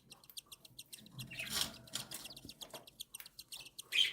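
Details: Tiny cockatiel chicks begging during feeding by the mother produce a quick, even train of high clicking pulses, briefly swelling into a hoarse rush, then ending with a sharp chirp.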